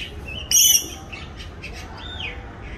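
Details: A coconut lorikeet (Trichoglossus haematodus), an introduced resident in Singapore, preening, gives one loud, harsh, high screech lasting about a quarter second, followed by faint chirps and a short arched whistle.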